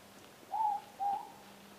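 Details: Morepork (ruru) calling at night close by outside: two clear hooted notes, the first slightly higher and falling, the second lower, about half a second apart, over a quiet background with a faint steady low hum.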